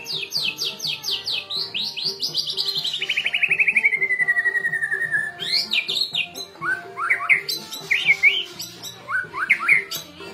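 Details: White-rumped shama song for training and provoking a caged bird, with rapid descending whistled series and a long sliding trill, then varied rising whistles and chirps, over a low steady hum.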